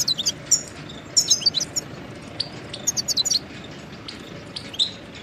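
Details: Goldfinch song meant for tutoring chicks and songbirds: scattered groups of high tinkling chirps, a lively twittered run in the middle, then a quieter stretch with a final chirp.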